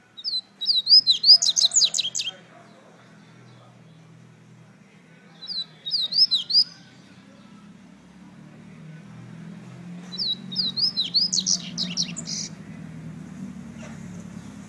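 A double-collared seedeater sings bright, rapid bursts of high twittering and slurred whistled notes.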